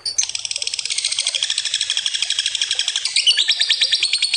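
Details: Lovebird in long ngekek, a drawn-out trill used as a lure: a continuous, rapid, buzzy high chatter of fast evenly pulsed notes that shifts pitch slightly near the end and runs without a break.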